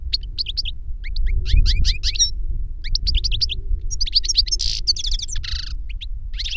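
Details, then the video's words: European goldfinch, master or young pupil taught from the master's recorded song, delivering rapid liquid twitters, rising whistled slurs and a brief buzzy burst over steady low background hum. "Jilguero maestro cantando reclamo y enseñando a otro jilguero novel"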